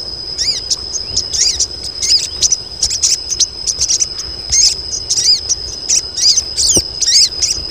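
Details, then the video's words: Colony of female crested jays calling for males, delivering rapid, evenly spaced high arched notes throughout, overlaid on a steady high-pitched insect-like drone. "KOLONI SOGON BETINA || SOGON JANTAN LANGSUNG BUNYI"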